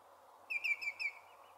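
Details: Two common greenshanks (Tringa nebularia), one joining the other, at a local nature reserve in Milton Keynes, UK, giving the typical call: a quick ringing run of four clear, slightly downslurred whistles, tew-tew-tew-tew, over a low rushing background.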